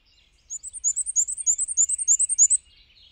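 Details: ['Squeaky-wheel song of a Black-and-white warbler hopping between perches: a high, evenly repeated wee-see series of about fourteen notes over two seconds, with a faint lower bird trill and slight low background rumble.']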